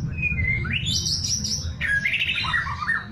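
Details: White-rumped shama (murai batu) giving bright, varied whistled phrases jumping between high and middle pitches over a low steady rumble.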